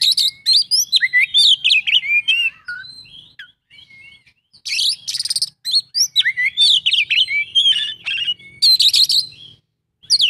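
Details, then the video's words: Oriental magpie-robin (kacer) singing in the 'isian full' style: a rich run of varied high whistles, slurred notes and buzzy trills, broken by a short pause near the middle, over a faint low hum. "kacer isian full"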